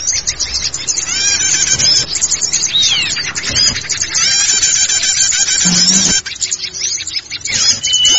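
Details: Small forest birds singing, played to lure small forest birds: a busy, unbroken chorus of high chirps, rapid trills and sweeping whistles, briefly thinning midway, with a short low hum.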